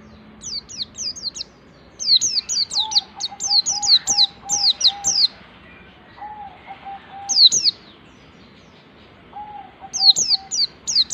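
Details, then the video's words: White-eye giving ngalas wild-type song while learning high 'nembak' notes, played to prompt other white-eyes to sing. Long runs of sharp, very high, falling chirps, with a steady mid-pitched whistle-like tone beneath and short gaps. "suara pleci ngalas belajar nembak ini bisa memancing pleci lain ikut ngalas dan gacor"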